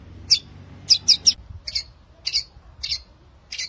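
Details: A long-tailed shrike sings in lively 'gacor' style, used to lure lazy shrikes to sing: a quick burst of three bright chirps followed by evenly spaced harsh notes, a faint low rumble beneath.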